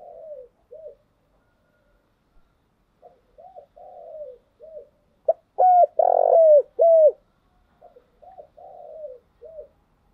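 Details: Spotted dove cooing, used as a lure to stimulate and train decoy birds: low, soft, rounded coos in short groups of two to three notes, with a louder, stronger burst of three coos midway, then quieter coos again. The surroundings are silent.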